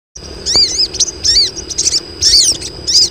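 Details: Several female crested jays calling to lure males: sharp arched chirps, rising then falling, in separate bursts about every half second, over a steady high ringing tone and a faint low rumble.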